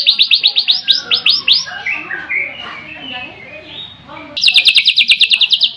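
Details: Shama song, known locally as murai, with a quick series of high arched notes fading into varied lower warbles, then a second bright burst of rapid repeated notes.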